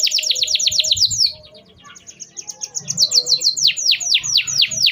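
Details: Canary song used as therapy for birds that stopped singing: quick falling whistles, a brief quieter pause, then buzzy repeated notes and more sweeping downward phrases, with faint low noise.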